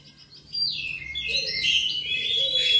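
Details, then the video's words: An Oriental magpie-robin sings a rich, fast run of varied high whistles and sweet slurred phrases, with notes sliding up and down, after a brief quiet start; song used to stir pet magpie-robins into singing. "TERAPI KACER CEPAT SEMANGAT RAJIN BUNYI"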